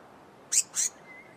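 Blue-mantled crested flycatcher giving two quick, very high, scratchy notes in close succession, with a faint thin whistle trailing after against a quiet background.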